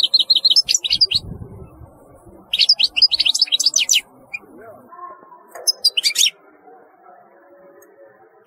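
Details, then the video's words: European goldfinch song in three bursts of rapid, high, liquid twittering with buzzy notes mixed in, separated by short gaps, over a faint low hum. "تغريد رهيب للحسون"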